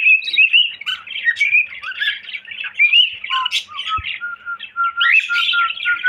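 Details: Cockatiel whistling indoors: quick rising whistles and chirps, then a series of steady, evenly pitched whistled notes near the end. A soft knock is heard midway.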